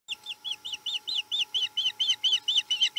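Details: Osprey at a Chesapeake nest, 7 April 2020: a rapid series of short, clipped whistled chirps, about five per second, steady in pitch, over a faint electrical hum.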